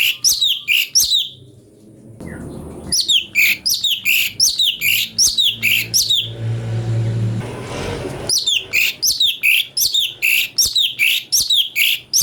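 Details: Cucak cungko song variation kept as a master for training magpie-robins: long runs of fast, bright chirped notes in steady bursts, broken by a short pause and a patch of rumbling background noise before the chirping resumes.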